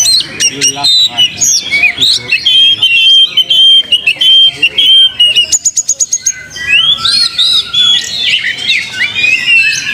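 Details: Oriental magpie-robin song used to rouse young birds into fighting and tail-spreading. A dense, unbroken run of rapid varied whistles, trills and harsh chattering, with quick clicking series and sharp rising upslurs.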